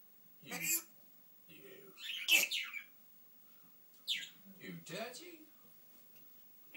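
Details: Pet African grey parrot indoors in a small room, mixing speech-like phrases with sharp high whistles and chirps, a burst about every second and a half with short gaps between.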